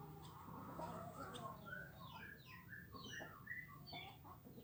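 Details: Hundreds of swiftlets foraging in the morning, feeding on swarming winged termites; faint, scattered twittering chirps sweep up and down over a low rumbling background hum.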